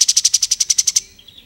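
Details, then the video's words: Lively plain-throated sunbird, song used to tutor magpie robins and other songbirds: a quick run of about eleven piercing high notes in one second, then faint thin notes. "KAPAS TEMBAK GACOR"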